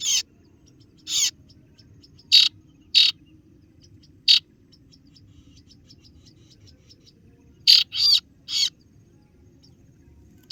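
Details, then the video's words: Kaso-kaso bird, or singo barong, used as a lure against rivals: widely spaced single harsh chirps, with faint soft ticking between them and a closing cluster of three rasping notes. "kaso kaso ciet ciet memangil lawan"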